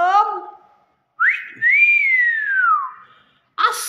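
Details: Common hill myna, a talented talking bird, gives one long whistled phrase that sweeps up, holds, then slides down. A man's voice comes just before it, and a short sound follows.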